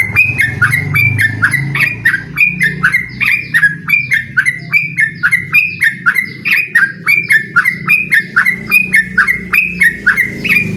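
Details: Yellow-vented bulbul singing hard to provoke a rival into a song duel, a fast continuous chatter of sharp bubbly notes, about one phrase per second, with a low rumbling hum underneath.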